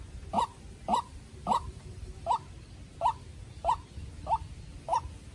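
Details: Young decoy White-breasted waterhen dueling with a wild bird; a run of abrupt, croaking notes, about eight in five seconds, fairly even in spacing, with low rumbling noise underneath.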